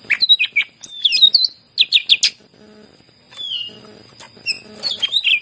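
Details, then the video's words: Greater green leafbird in vigorous song, used as a lure to get reluctant leafbirds singing: bursts of sharp whistled and slurred chirps, quick downward-swooping notes in clusters, a drawn-out whistle near the middle, over a faint steady high whine. "cucak ijo gacor masteran yang terampuh buat pancingan burung yang lagi susah bunyi"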